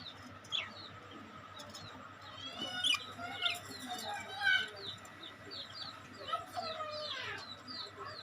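Budgerigars chatter in a busy flock, with quick warbled chirps, squeaks and rising whistles overlapping.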